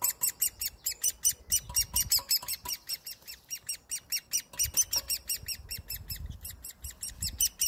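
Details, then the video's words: An orphaned great spotted woodpecker chick being hand-fed by people on 30 May 2020 begs with rapid, harsh, high chirps, several per second, in steady insistent bursts over low rustling and handling noise. "Feeding Great Spotted Woodpecker chick"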